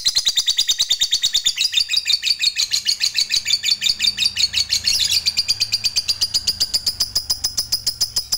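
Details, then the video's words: Lovebird fighter giving ngekek panjang, the long chattering song wanted by hobbyists, on a lure recording; a fast, steady, rattling high trill of about three pulses per second that runs without a break, slightly rising midway. "Bikin Lovebird Apapun Cepat Narik Ngekek Panjang"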